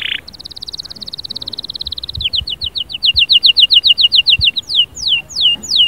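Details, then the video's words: Canary song opening with a smooth buzzy trill. It breaks into crisp repeated notes several times a second and ends with slower, descending whistled slurs. "اياك وتقول عصفوري الكناري ساكت"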